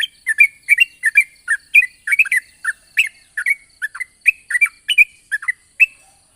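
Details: Yellow-vented bulbul singing in the morning, a long rolling lure song to make untamed bulbuls sing: steady stream of short liquid chirps, paired rising and falling notes packed closely together.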